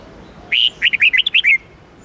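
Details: Red-whiskered bulbul song, used for training caged bulbuls, in the 8-9-10 note twisting style: one bright phrase of about seven quick, warbled whistled notes lasting roughly a second, with near silence before and after.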